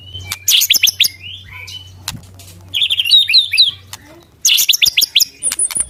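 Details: White-rumped shama in full, active song (murai batu gacor), tagged as pastol and trotol style: bursts of loud, high, sharp whistled notes and rapid chirps in three phrases separated by brief pauses, with a faint low hum.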